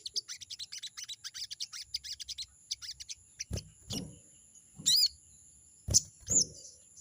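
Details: Rival-challenging crested jay: a quick rattling run of sharp high chips for about two and a half seconds, then silence broken by thumps, two thin upslurred whistles and a persistent high whine.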